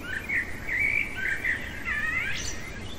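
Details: Blackbird's nocturnal song of repeated mellow whistled notes, about five in a row, ending in a rising thin high twitter.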